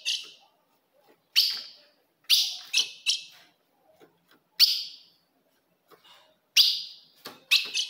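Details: Ultramarine grosbeak female call played to provoke a male: crisp high chips dropping in pitch, some in quick pairs, spread unevenly with short silences between.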